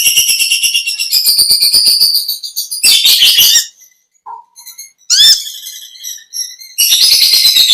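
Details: Konin (olive-backed sunbird) singing its natural long chattering song: bursts of rapid high ticking and buzzy twitter separated by short quiet spells containing a soft lower note, sharp swept whistles between.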